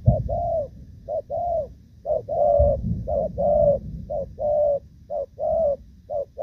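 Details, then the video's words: Spotted dove, moulting, delivering Thổ Pha-style coos on 3 June 2024: loud low-pitched phrases of a short note plus a longer coo, repeated about once a second, with intermittent low thumping background noise. "Thổ Pha | chim đang lông nhưng dàn rước với nước gù cũng tốt"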